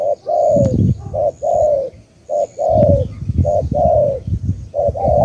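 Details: Vietnamese spotted dove from Cà Mau cooing close up: short hoot plus long descending coo, repeated steadily, over low rumbling background noise and occasional clicks.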